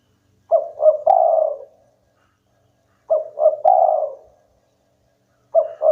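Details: Spotted dove, a local bird in spirited song that gets rivals calling: repeated phrases every two and a half seconds, two quick coos then a longer vibrating coo, against a quiet background.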